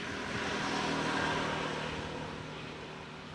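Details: Steady engine and traffic rumble with broad hiss that swells slightly and fades, no animal voice standing out.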